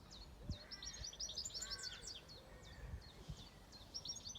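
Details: Songbird on a farm gives a fast, high, jumbled twittering phrase followed by separate high downslurred chirps. A softer, lower call sits underneath, and scattered low knocks are audible in the background.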